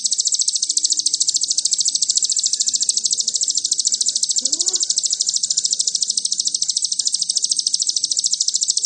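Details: Ruby-cheeked sunbird (sogon) song used as a lure to provoke birds, in the fast 'nembak cililin' style: a continuous, very high, buzzy trill of evenly pulsed notes, about nine seconds long, with a faint low rising whistle midway.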